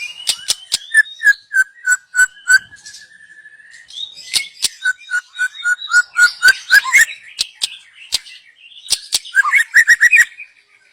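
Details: Young wild white-rumped shama, used as a lure, singing varied phrases: loud clear whistles, a long level whistled note near the middle, rapid sharp clicking notes between phrases, and a quick rising trill at the end.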